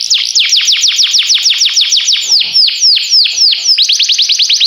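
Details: Canary singing a long sequence of rapid downslurred whistled notes, slowing briefly in the middle then speeding up again into quick repeated sweeps.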